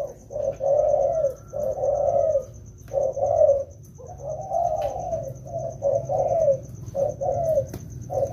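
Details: Spotted doves, two wild-caught birds being trained in the rainy season, utter repeated soft, hollow coos. Longer notes alternate with short ones in an irregular series, with a steady, thin high pulsing in the background.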